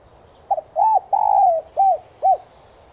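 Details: Lure cooing of a spotted dove, meant to get caged doves cooing fast: a short double note, an arched coo, a long smoothly falling coo, then two spaced hollow coos, over a soft low hum.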